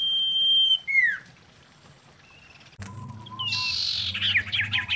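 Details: Female common iora in mating song: a sustained level whistle drops into a falling slur, followed after a brief gap by a noisy burst with rough chatter.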